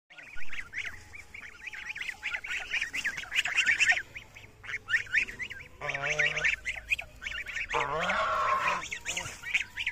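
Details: Greylag geese walking in a field in Bangladesh give a dense chorus of short, nasal, overlapping honks repeated rapidly, with a few longer, harsher, wavering calls toward the end.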